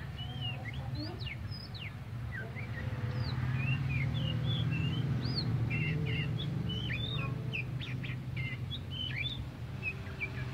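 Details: Tame kacer poci, an Oriental magpie-robin, in full song: a long, rapid sequence of sharp whistled notes, quick upsweeps and clipped chirps about four per second, over a loud steady low-frequency hum.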